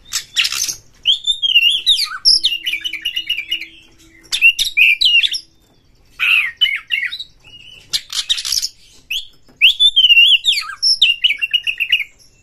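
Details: Worked-up Oriental magpie-robin revealing its mimicry-rich repertoire while seeking a fighting opponent: long rapid strings of warbled, wavering whistles and rattling notes, four extended phrases with brief breaks.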